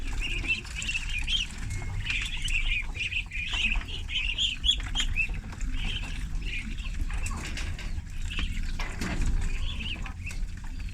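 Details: Thirty farm ducklings during feeding; dense, almost unbroken chatter of high wavering peeps for several seconds, thinning later, set against a steady deep rumbling background.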